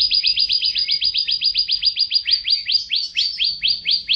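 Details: F1 canary training song; long, even rattle of bright downward-sweeping whistled notes, about five per second, with a few fuller notes toward the end.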